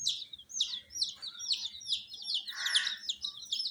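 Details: Dyed baby chickens under heat peep in a rapid series of high, steeply dropping notes, roughly one a beat, with one brief rough burst midway.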